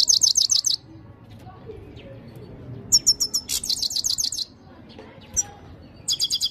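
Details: European goldfinch (Carduelis carduelis), song.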